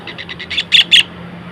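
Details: Long-tailed shrike, tengkek, delivering a short phrase: four quick soft harsh notes speeding up into three louder, sharper chattering notes, then silence.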